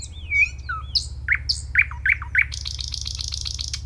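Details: Nightingale song: a high whistled slur, then a series of sharp downward-swept notes repeated about every half second, ending in a fast buzzy rattle of repeated notes, over a steady low hum.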